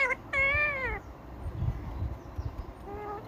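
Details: Talking Indian ringneck parakeet producing a drawn-out, wavering, meow-like tone, then a pause and a shorter, lower utterance at the end, with low background hum.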